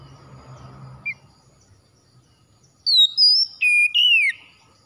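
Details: Morning therapy song of the kacer, or oriental magpie-robin, meant to coax a quiet bird into singing: after a faint low rumble and one short chirp comes a brief, bright whistled phrase that steps down from a high note to a lower, sliding one.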